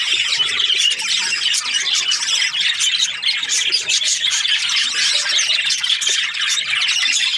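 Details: Breeding pairs of budgies making busy high chatter, rapid chirps mixed with harsh little squawks and chattering warbles, layered densely without a break.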